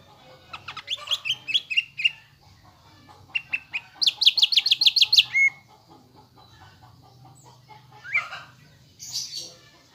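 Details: Greater green leafbird lure song, played to caged birds to rouse them into a fighting mood. Loud bursts of rapid, sharp whistled notes and chattering phrases, with a fast ringing trill midway. A faint low hum runs underneath.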